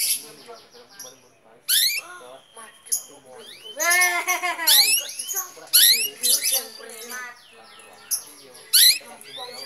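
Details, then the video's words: Long-tailed shrike song: a rambling jumble of harsh squawks, rising slurred whistles and thin high chirps in quick bursts, with quieter chatter in between. "Kicauan Burung Cendet"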